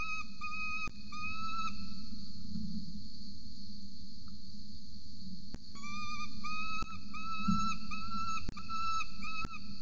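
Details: Adult peregrine falcon feeding a chick at a nest in Orange, Australia, morning of 26 November 2020: two bursts of thin whistled calls, each short and level, in quick runs, with sharp clicks and a steady low hum.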